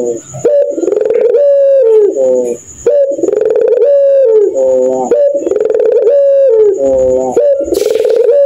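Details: Puter pelung dove, a domestic Barbary dove breed, giving its 'laughing' coo at night: loud, low, throaty coo phrases that stutter, then glide down, repeated several times with brief gaps over a faint steady high whine.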